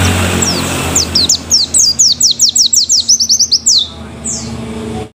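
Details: Canary in moult delivering a dominant 'tembakan' burst: a rapid run of about a dozen high, sharply down-slurred whistled notes at several per second, closing with a longer high sweep, then fading; low background hum throughout.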